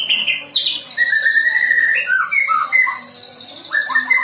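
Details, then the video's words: Young white-rumped shama just out of the nestling stage, learning to sing with borrowed song material: varied whistled phrases and slurred notes shifting between mid and high pitch, with a rapid high rattling burst near the end. "MURAI BATU PASTOL GACOR BELAJAR BAWA MATERI"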